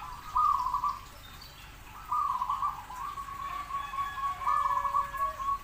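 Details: Zebra dove giving soft, rolling, purring coo phrases, a louder burst at the start, then a longer rippling trill, over constant hiss.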